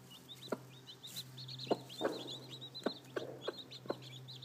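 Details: Seven newly hatched baby chicks with their mother hen, which is probably sitting on at least two more fresh hatchlings. Thin, high peeps slide quickly downward and overlap constantly, broken by several soft, low knocks or taps.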